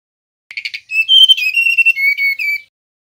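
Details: Male mangrove blue flycatcher in nyiul whistling song: one phrase opening with quick stuttered notes, then sustained clean whistles stepping slightly down in pitch over about two seconds, on a silent background.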